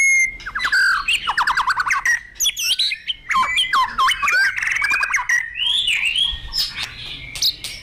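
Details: Vigorous, excited song of a white-rumped shama: a long varied run of rapid rattling trills, swooping whistles and harsh squawky notes, loud and nearly continuous, with no other sounds intruding.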